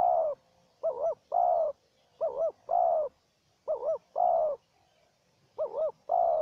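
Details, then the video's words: Calling duel between a decoy spotted dove and a wild one: a steady run of five coo phrases, each a short double-hump note then a drawn-out rich coo, repeated roughly every 1.4 seconds. "Pikat dan Terkukur Liar Adu Suara"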